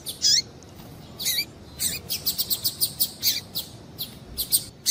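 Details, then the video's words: Female Double-collared seedeater calling to stimulate a male to sing: short, high, sharp chirps, some with a falling downward sweep, given singly at first and then in a quick series of about ten notes, over faint background hiss. "Piado de Fêmea de Coleiro Para Esquentar Coleiro"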